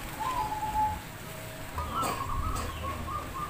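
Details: Caged zebra doves at a local perkutut singing contest in Demak, Semarang: a falling rolled coo, a pause, then a longer wavering trilled phrase, with faint clicks and low rumble behind.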